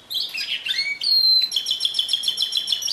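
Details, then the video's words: Canary singing: brisk chirps and falling slurs, then a steady fast-pulsed trill repeated several times per second, bright and high-pitched, with no background noise. "Chant Canari Pur 2016"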